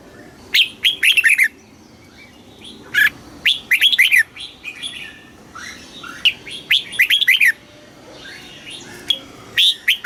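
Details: Thai red-whiskered bulbul delivering southern master-style song used to stimulate caged birds: busy run of quick, bubbly whistled phrases, closely spaced, with brief gaps and quieter chirps in between.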